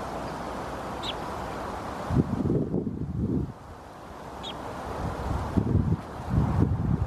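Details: A male common blackbird (Turdus merula) in Helsinki, Finland in October gives odd, low, hoarse croaking in two rough bursts of rapid pulses; observer suspects a health problem; the bird still ate normally.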